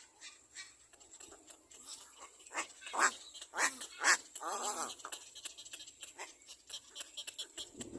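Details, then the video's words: A baby black-crowned bird following its mother, near a nest, gives harsh, raspy screams in irregular bursts, roughly one a second, with a longer grating cry midway, over a steady background hiss. "Black crowned baby bird behind mother screams"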